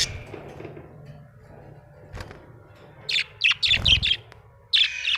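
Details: Happy budgie bursting into a quick run of bright, warbling chirps after a quiet start, then one more short chattering phrase.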